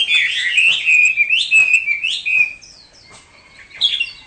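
A hwamei sings loud, rich whistled phrases that slur up and down in quick, varied bursts, ending with a few softer, thinner notes.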